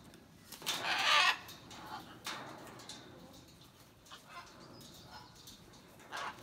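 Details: Blue-and-yellow macaw (Ara ararauna), call.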